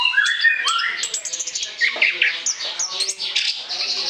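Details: Orange-headed thrush pouring out a varied song for luring, opening with lower rising whistles before breaking into rapid high twitters, squeaky chips and buzzy fragments.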